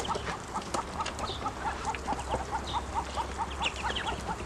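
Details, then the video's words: Growing ducklings calling more when hungry: a steady run of short, mid-pitched calls, about two to three a second, over low background hum. "Ducklings have grown and are making more sounds, especially when hungry"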